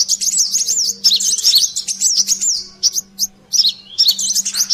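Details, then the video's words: Brown-throated sunbird, known locally as kolibri klapa, in a noisy lure recording: dense high, thin chirps and zigzag twitters in rapid bursts, with brief gaps and a faint steady low hum underneath. "suara pikat burung Kolibri Klapa/sogon ontong ributt"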